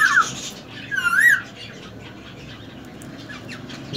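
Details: Semi hand-tamed male ring-necked parakeet, three years old: a short clear whistle, then a wavering rising whistle about a second later, followed by quiet room noise with faint chirps.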